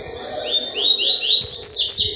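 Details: Double-collared seedeater song recorded on 4 October 2023, a Wednesday: loud, quick series of sharp rising whistled notes, four or five in a row, then a burst of higher, tighter notes, with faint low rumbling behind.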